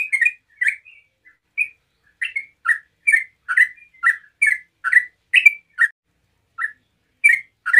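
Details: Yellow-vented bulbul in relaxed rapid song meant to set other bulbuls singing; clear chirped notes paired high-low, somewhat irregular, with a few gaps between phrases.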